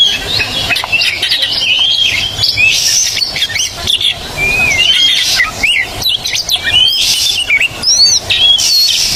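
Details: White-rumped shama song meant as training to make silent birds sing: a rich, continuous run of varied whistles, slurs and sharp chips over steady background hiss.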